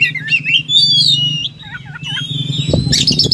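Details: Oriental magpie-robin in fighting form delivering its material: wavering whistles, then a run of low hooked, croaking notes, followed by a long thin whistle and a harsh burst; a noticeable low hum and a thump throughout.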